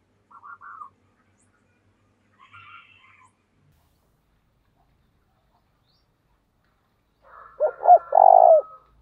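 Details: Decoy spotted dove calling in thổ đồng style: near the end comes one full coo of two quick notes and a longer buzzy note. Earlier there are faint brief chirps, then a long silence.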